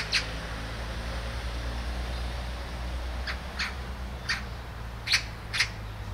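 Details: Sharp single kik calls of a great spotted woodpecker in Hanbam Village, Gunwi, North Gyeongsang, Korea, given every half second to second, loudest near the end, over steady low rumbling noise.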